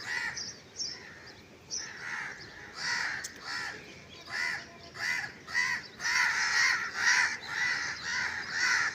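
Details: Crow calling in a steady run of raspy caws, about two per second, growing louder and denser toward the end, with soft outdoor hiss underneath.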